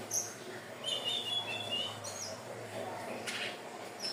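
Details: Hill blue flycatcher singing, a recording used as a lure for other birds; a short run of high, thin whistles with slight wavering, then quieter scattered notes over a low hum and hiss.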